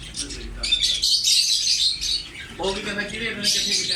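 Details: Green ring-necked parakeet giving its natural voice while talking: dense high chirps and squeaky notes fill the first half, then a lower, voice-like harmonic passage with modulated syllables joins the continuing high chatter.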